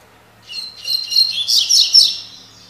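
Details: Double-collared seedeater singing the 'tui tui' song type: a quick, bright jumble of high chirps and warbled notes lasting about a second and a half, with a faint low hum behind.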